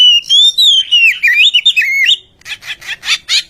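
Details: Village magpie-robin song played as a lure to coax silent birds into singing: a long, clear whistled phrase that rises, dips and warbles, followed by four harsh, scratchy bursts.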